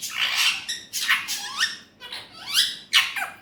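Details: Talking Alexandrine parakeet (Urdu/Hindi speech) uttering four rough, hoarse syllable groups with sliding tones, each about half a second long, separated by brief gaps.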